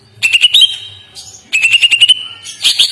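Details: Greater green leafbird singing a soft, melodious tutor song. Two phrases of clear sustained whistles are each introduced by quick stuttering chirps, and the clip ends with a loud, busy flurry of notes.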